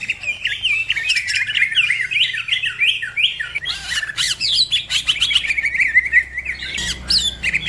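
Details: Green leafbird singing fast and hard, its song prompting other birds to sing; a steady flow of bouncing chirped notes at mid-high pitch, broken by sharper clicks and higher squeaks, over a faint low hum.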